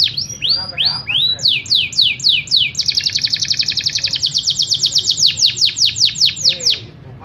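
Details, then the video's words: Yorkshire canary singing a long roll: opening slurred notes, a run of quick descending sweeps, then a sustained rapid trill and more sweeping notes, over faint low background noise. "Kenari yrokshire ngerol nggulung panjaaaaang banget"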